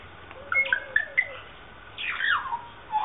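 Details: A caged South Island kaka in the Dunedin Botanic Gardens aviary, New Zealand, swinging on a chain, gives a string of short whistled notes, then a harsh descending squawk and a final rising whistle.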